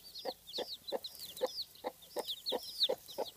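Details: Domestic hen with her chicks, after brooding a large clutch of eggs, giving low, regular clucks about three per second, while the chicks answer with high, thin, rising peeps between each cluck.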